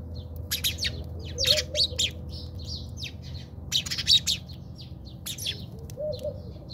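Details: In a backyard in South Africa, house sparrows squabble with dense bursts of shrill, rapid chirping in two bouts, separated by quieter single chirps; a faint low warbling sound and steady hum continue underneath.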